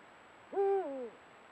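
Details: At sunset, a trail camera picks up one of a pair of Eurasian eagle-owls giving a low hoot: a quick upward swoop, a flat held note, then a stepped downward slide that tails off.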